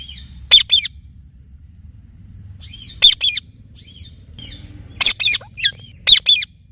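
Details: Talking Indian ringneck parrot uttering sharp, grating double screeches in spaced bursts, four groups over about seven seconds, with faint soft chatter in between.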